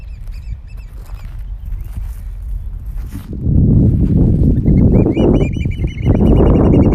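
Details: Oystercatchers at Stratford Point Sanctuary on May 4, 2021 give shrill, rapid piping notes in quick runs, high and clear over heavy low wind and surf rumble.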